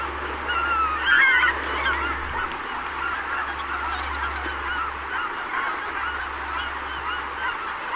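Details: Wintering greater white-fronted geese at Donggang Township on 19 December 2021: a cluster of high, laughing honks rises around the first second, followed by fainter scattered calls under a constant rushing background noise.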